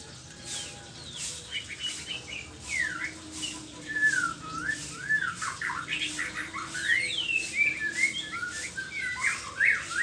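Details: White-rumped shama in the morning delivering a long, continuous run of varied whistles and quick slurred notes over a steady hiss of background noise.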